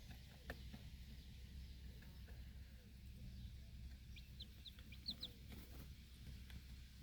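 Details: Mother hen standing over four feeding chicks in a backyard flock outdoors; mostly low hum and faint taps, then a burst of quick high descending peeps near the middle.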